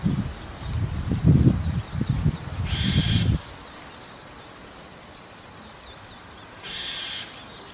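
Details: ['Roof-perched White-cheeked starling calling in the evening; two rasping, grating calls about four seconds apart, the first partly masked by low rumbling noise that then falls away.']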